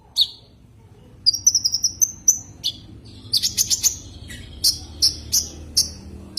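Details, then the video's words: Common iora calling a rival: scattered high chirps and clear level whistles, then a run of buzzy rapid notes followed by spaced sharp chirps, with faint background hiss. "Suara kicau Burung konin memanggil lawan"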